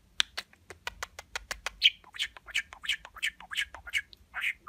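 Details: Budgerigar kept as a talking pet, mimicking human words with lots of kissing noises: a quick train of crisp clicks followed by a string of short, nasal, squawky chattering syllables.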